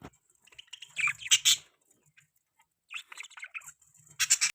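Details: Mating sounds of pet budgerigars: bright, squawky chirps and chattering twitters in short bursts, separated by brief quiet gaps, with a sharp, high burst at the close.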